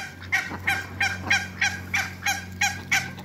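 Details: Two couples of African geese on a farm, meeting Muscovy ducks. They give rhythmic, nasal honks about three per second over a steady low machine hum.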